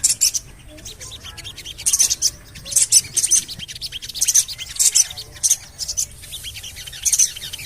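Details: A lure recording of Javan cochoa meant to coax birds into singing: bright, high-pitched 'cuit cuit' chirps in clipped bursts roughly every second, steady through the passage, with soft ticking noise underneath.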